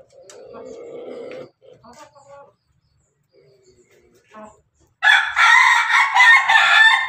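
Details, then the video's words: Pelung chicken of the Bangkok line feeding with hens: soft purring and short clucks at first, a quiet stretch, then a loud, rough crow bursting in and running to the end. "ayam pelung Bangkok makan bersama ayam babon, suara ayam ketawa berkokok"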